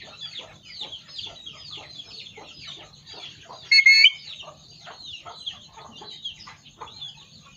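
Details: A dense chorus of rapid chirps and clucks from many birds runs throughout. Midway, a talking parrot adds one brief, loud, flat whistle split into two short pieces.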